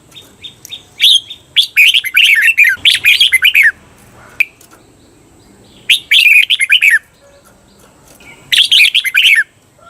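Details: Training recording of a caged red-whiskered bulbul's doubled (เบิ้ล) song: lively, rapid chattering phrases, one stretching about two seconds, separated by short silences.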